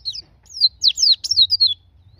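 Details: White-eye song played to coax caged white-eyes into singing. The bird gives a quick string of thin, high, downward-slurred whistles, about six notes in two seconds, on a near-silent background.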